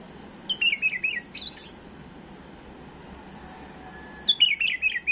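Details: Tame bulbul singing to tutor fledglings: a bright, descending, warbled phrase followed by a sharp high note, a long pause, then the same rippling phrase again.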